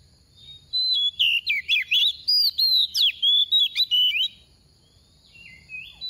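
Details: Oriental magpie-robin kept as a soft decoy bird, singing a 'tìu tíu tiu' song to provoke other magpie-robins: about a dozen bright, high whistled notes, sliding and twisting, delivered in quick succession, then a pause with a few faint trailing notes.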